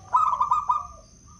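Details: Wild local zebra dove from Blora, Indonesia, a clear-voiced bird used as a lure for catching doves, giving one quick phrase of bubbling rolled coos that trails off. A thin constant high tone hums in the background.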